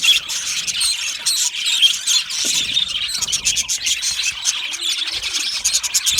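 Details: Lonely budgerigars calling loudly for contact or in distress; dense, rapid high chirps and scratchy squeaks overlap without pause, forming a continuous shrill chatter.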